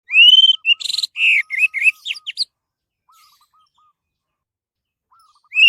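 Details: Orange-headed thrush song used as a lure to make other birds sing: loud, varied whistled and buzzy phrases rising and falling, in a rapid burst, with a soft lower repeated note series and a quiet pause.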